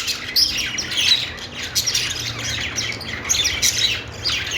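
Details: Budgie singing happily on its perch, high buzzy chirps and thin whistled squeaks tumbling together in fast bursts that swell and fade every second or so.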